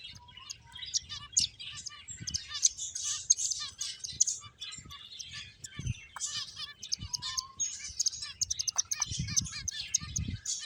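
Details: Several playful finches chatter with dense, rapid, high-pitched tweets and sharp clicks. A few lower, softer whistled notes are mixed in, and occasional dull knocks sound in the background.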